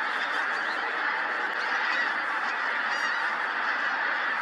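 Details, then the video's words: Pink-footed geese in a large flock at Montrose Basin, shifting position as the tide ebbs, give a dense, continuous chorus of overlapping honking calls with no pauses and no other clear sounds. "Pink-footed Geese"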